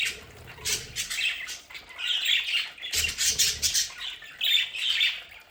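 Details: A group of pet budgerigars at home squawks and warbles continuously. Rasping, buzzy notes come in loose bursts about once a second, over a soft low background rumble.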